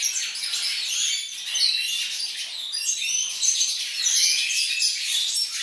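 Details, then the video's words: Several Siberian goldfinches in a continuous, high, tinkling twitter of overlapping chirps and trills, bright and busy without pause throughout. "Szczygły syberyjskie Carduelis major"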